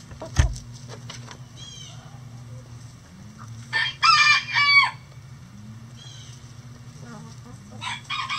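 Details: Chickens kept in a coop on a sunny day, with scattered soft clucks and scratchy noises, then a loud harmonic call broken into two strong bursts near the middle, quieter murmurs after, and a low constant hum throughout.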